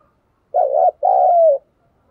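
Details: One spotted dove decoy call: a warbled first note followed immediately by a longer, smoothly descending coo, clean and free of background noise.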